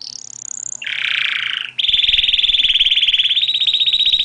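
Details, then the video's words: Canary singing without added sound effects: a high whistled note slurring upward, then a broad buzzy burst, then a long fast trill of rapid repeated notes held at one pitch. "صوت طائر الكناري اجمل من اي اغنية بدون مؤثرات صوتية"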